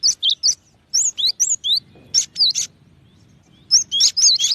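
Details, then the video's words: Cinereous tit calling with clipped, high chirps in small groups, then livelier runs of bright whistled notes. Short quiet gaps fall between the phrases. "SUARA BURUNG GELATIK BATU"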